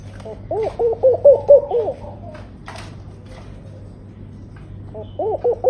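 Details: Tame laughing dove singing actively, a soft, bubbling run of low cooing notes that rise and fall, then starting the phrase again; a faint low hum underneath.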